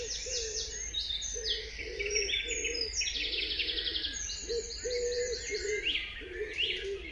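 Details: Birds chirping at dawn in a dense chorus. Bright, high trilled phrases and quick twitters tumble over one another, while a low, mellow cooing repeats about once a second under constant background hum.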